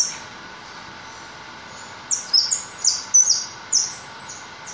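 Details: White goldfinch singing: after two seconds of quiet, a run of high, thin, sharply descending notes and twitters follows in quick bursts over a steady low background hiss.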